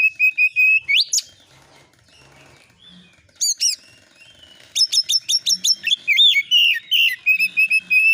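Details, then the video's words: Oriental magpie-robin song used as a lure to draw replies, 'nembak isian' style: a steady whistled note leaps into a sharp upsweep, a short gap, then dense quick chirps and warbling whistles repeated rapidly. "KACER AUTO NYAUT EMOSI KONSLET masteran burung kacer nembak isian"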